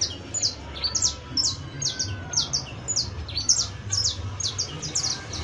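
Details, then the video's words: A saffron finch's professional song: thin, high falling chirps in a lively, irregular string, some grouped in quick runs, over a low steady hum. "CANTO PROFESIONAL DE CANARIO BASTO [ASÍ CANTA UN CANARIO BASTO PROFESIONAL"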